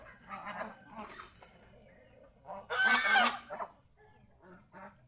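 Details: Geese belonging to a household, happily out in the fields around the house, give loud, harsh, nasal honks in short bursts, with one long, strong honking run near the middle and quieter honks after it.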